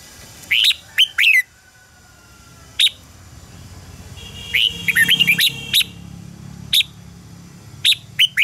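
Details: Training song of a red-whiskered bulbul for singing contests: fast pairs of high whistled notes, then a lively jumble of chirps and slurs in mid-passage. A thin steady tone and low hum sit beneath.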